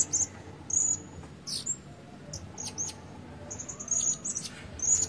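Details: Caged decoy Blue-crowned Hanging Parrot with a red breast, tried out for its voice, giving a run of piercing, high, thin whistled notes, some drawn out, in irregular bursts with faint background noise.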